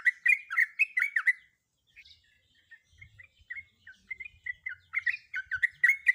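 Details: Female sooty-headed bulbul in breeding condition calling a male: quick runs of bubbly, slurred notes rising and falling, with a pause mid-clip, then scattered single notes that build back into a rapid chattering series.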